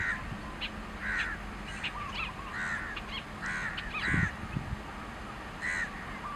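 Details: Long-tailed shrike singing from a grassland perch, watched from a parked car: rasping notes repeated about every half second, mixed with brief thin chirps, over a low rumble and a dull thump near the fourth second.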